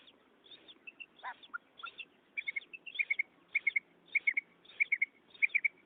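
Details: Female quail call played to lure males toward a net during hunting: soft triple notes, quick clipped chirps in threes, repeated roughly every half second, with faint wheezy notes between and a quiet background.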